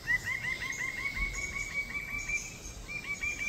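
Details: In Papua, lesser bird-of-paradise (Cendrawasih) gives a fast, even string of short, bright, upslurred notes at one pitch, with a lower echoing series beneath and a short pause near the end. Insect-like hiss runs throughout.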